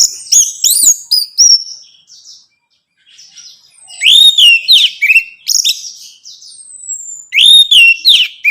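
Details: Orange-headed thrush singing, a recording meant to provoke a captive bird to sing; slurred whistled phrases, a pause of about a second, then bright notes and one long descending whistle before more phrases.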